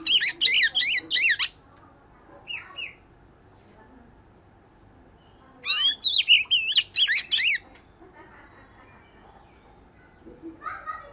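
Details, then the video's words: Oriental magpie-robin in voice-training song: loud bursts of repeated, looping whistled notes at the start and middle, with short soft chirps between and a low background hum. "Chòe Than Vẩy Cá Hót Giọng Siêu Hay-Luyện Giọng Chòe Than Hót Hay Mỗi Ngày-Suara Burung Kacer Gacor"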